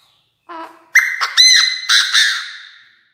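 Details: Decoy Chinese francolin calling the flock, crowing very intensely: a loud, harsh sequence of five or six strident notes near two kilohertz with rich overtones, preceded by a softer low note, fading out over about two seconds.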